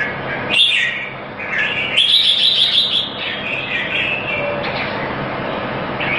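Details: Singing competition in Singapore, red-whiskered bulbul: a sharp high note, then a loud, quavering, fluttering trilled phrase, followed by lower warbled notes amid steady hiss.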